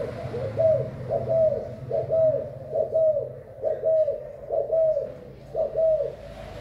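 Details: Spotted dove of Thai stock, 24 February 2019, delivering a clear run of about seven rounded, slightly downslurred coos at regular intervals under a low constant hum.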